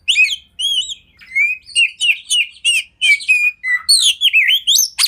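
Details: Oriental magpie-robin master song for training caged birds: a varied stream of clear whistled and warbled notes, bursts of short phrases separated by brief pauses, ending with high sweeping whistles.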